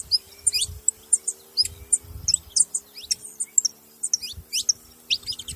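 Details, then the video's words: High, thin chirps and quick slurred notes from a saffron finch, spaced irregularly over a steady faint hum and occasional low thumps. "Canário da terra fazendo barulho"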